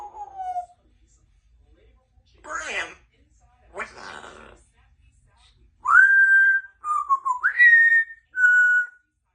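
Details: A 2-year-old female Congo African grey parrot at home talks and whistles, with short breathy speech-like phrases and then clear pure whistles that slide and rise, in a quiet room.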